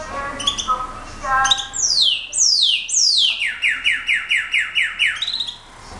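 Slate-colored Solitaire singing: a few flute-like opening notes, then high sweeping downslurred whistles, ending in a quick run of about eight ringing, rising notes.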